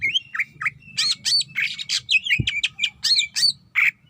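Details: Female greater green leafbird calling for a male, delivering a dense, harsh series of squawky, buzzy notes mixed with short whistled slurs, roughly two to three notes per second, with one brief low thump midway.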